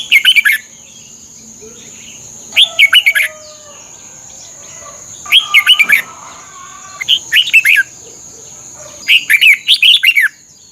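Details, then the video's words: Red-whiskered bulbul from Thailand, sound used to train caged birds: five quick warbled phrases of several bright whistled notes, irregularly spaced about two seconds apart, with a steady high tone in the background. "เสียงนกกรงหัวจุก สำหรับต่อ หรือ เปิดให้นกคึก เสียงเพราะๆ ฝึกหงอนเป็นเวลา"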